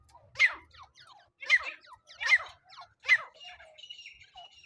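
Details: Francolin (teetar) calling, used as a trapping lure with a net: four sharp harsh notes spaced about a second apart, followed by softer scratchy chatter.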